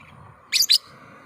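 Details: Lovebird call meant to lure and set off other lovebirds: two quick, piercing, high squeaky chirps in a row, with a soft low hum behind them.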